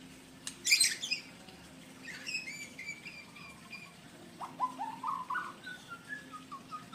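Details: Male white-rumped shama (murai blorok) courting a female in Indonesia: a sudden sharp rustle or flutter, then clear whistled notes in short descending steps, followed by a rising series of lower, fuller slurred whistles.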